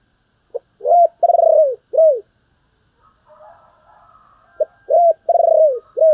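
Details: Spotted dove calling to lure other doves: a phrase of short hooting coos, one longer note sliding down, then silence before the coo phrase repeats; a faint murmur in the gap.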